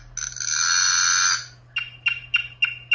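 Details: A campo troupial sings: a long, harsh, buzzy note gives way to five short whistled notes at roughly three per second, each dipping in pitch, over a low steady hum.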